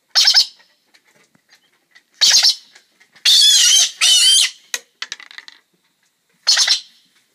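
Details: A galah cockatoo in the morning gives harsh, rasping screeches in short bursts, with two long grating calls in the middle and softer scratchy chatter between them.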